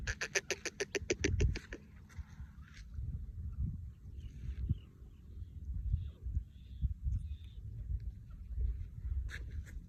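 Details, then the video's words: A partridge taking flight gives a fast burst of about eight harsh, clucking notes, then low rumbling wind-like noise, with one more short note near the end. "the sound of the partridge"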